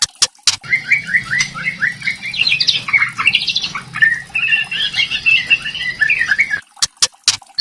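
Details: Kretekan-style song of a white-rumped shama used as a lure for a juvenile bird: fast choppy whistled notes jumping between middle and high pitch, bursts of loud clicks at both ends, faint low hum throughout.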